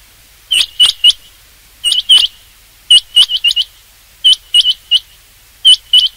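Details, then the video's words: Rain quail used for hunting; sharp high whistled notes in quick pairs and triplets, bursts repeated about every second with short pauses, clean background. "rain quail sound for hunting چنگاکی آواز شکار کیلئے"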